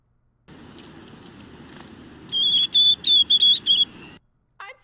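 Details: Young White-throated Sparrow practising its song, like baby babbling: a series of thin, high whistles that wobble in pitch, wavy, unsteady and imperfect, unlike the clear, precise adult song, with a soft background hiss.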